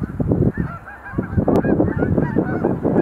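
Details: Group of sandhill cranes doing display leaps near Montezuma National Wildlife Refuge visitor center in November 2020; steady rattling, bugling calls overlap continuously, with low rumbling bursts and a brief sharp click.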